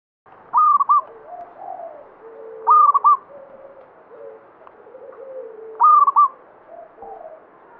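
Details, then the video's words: Local banyumili zebra dove in lively song, with three stuttering, bubbly coo phrases roughly every two and a half seconds over soft, scattered low cooing. "Perkutut lokal banyumili suara gacor"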